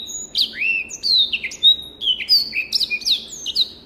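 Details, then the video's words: Black-throated canary from Africa singing a short, bright passage: pure sustained whistles mixed with swooping upward and downward slurs and brief trills, loud and clear against a quiet background. "SOUND of BIRD BLACKTHROAT || FINCH SINGING || MASTERAN BLACKTHROAT Kualitas Suara Jernih !!!"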